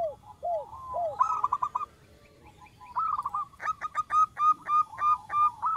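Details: Local wild zebra dove, described as a female calling a male and used as a lure for trapping birds; a soft, rapid series of cooing notes, first a few low arched coos, then quick repeated staccato coos in bursts.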